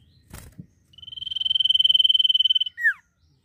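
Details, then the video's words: Common iora (cipoh) singing in full 'nyiul' style: a high, evenly pulsed trill held for nearly two seconds, swelling gradually in loudness, then cut off by a short, sharply falling slurred note. A brief knock sounds just before it. "CIPOH GACOR FULL NYIUL"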